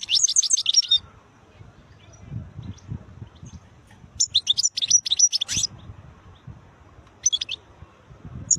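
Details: European goldfinch, called khlawi, singing. High, fast twittering phrases come in bursts near the start, at mid-clip and near the end, separated by pauses with low rumbling in the background.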